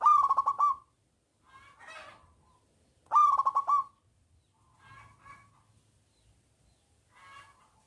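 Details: Lure song of a loud local zebra dove meant to set silent doves singing: two forceful stuttering bursts about three seconds apart, each trailed by softer, broken cooing notes, with a quiet background.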